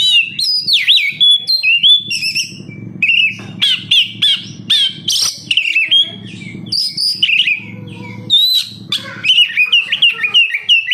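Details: Kacer (oriental magpie-robin) kept in captivity delivers a long, varied song meant to prompt other birds to sing: rapid chirps, upward sweeps, trills and sharp whistles in short bursts.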